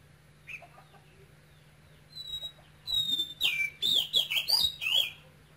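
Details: Caged male oriental magpie-robin of Cambodian origin, brought from Cambodia young, singing with a Quang Ngai voice; after faint notes, a burst of loud whistled phrases sliding and warbling, a steady low hum underneath.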